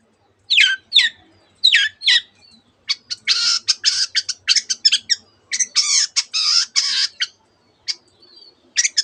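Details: Long-tailed shrike mimicking canary and many other bird species; a few sharp chirps lead into harsh, buzzy, scratchy bursts in quick clusters, then scattered high notes.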